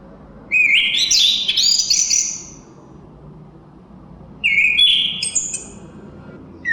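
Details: Chestnut-capped thrush song with a wind-like hiss behind it: a long, high, warbled whistled phrase, a gap of nearly two seconds, then a shorter rising whistled phrase, and the start of a third.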